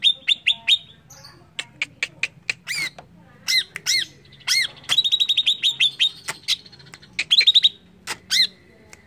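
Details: Greater green leafbird song meant to provoke other birds: rapid sharp chips and trilled runs mixed with a steady thin whistle, over a soft low hum.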